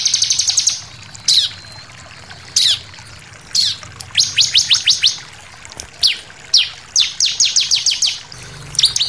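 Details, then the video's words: Varied shooting song of a bar-winged prinia: short bursts of rapid high notes mixed with sharp falling slurs, and phrases separated by brief pauses. "SUARA CIBLEK NEMBAK NGOTOT + VARIASI"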